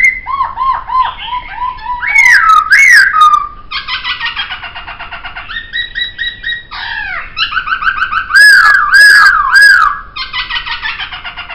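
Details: Long varied laughingthrush (poksay) song: repeated downslurred whistles, loud emphatic notes, nasal buzzy runs and a final rapid chatter.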